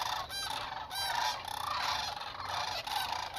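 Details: A dense chorus of rolling, trumpeting calls from sandhill cranes passing through south central Nebraska on 2021 migration, heard from about 30 meters, with calls overlapping continuously.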